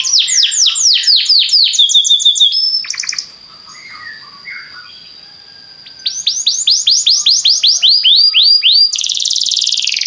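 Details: Belgian canary song played to make other canaries sing: fast rolling trills of sweeping whistled notes, a long steady high tone through a quieter middle stretch, then renewed rapid trills ending in a bright buzzy flourish.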